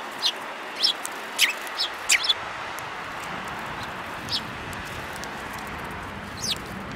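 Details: Sparrows on 5 February 2018, among them a yellow-beaked bird, give sharp, thin, separate chirps in a loose series during the first two and a half seconds. A couple of fainter calls follow later over an even background hiss.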